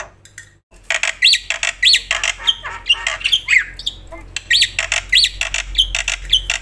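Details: Black-winged myna in loud, full song: harsh, rasping bursts alternate with sharp upswept whistles, with a steady low hum behind.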